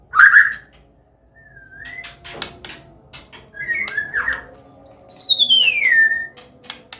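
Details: Medan white-rumped shama with a melodious combination song meant to train young birds: loose whistled notes, short rising slurs, then a long clear whistle sliding downward, with faint clicks between phrases.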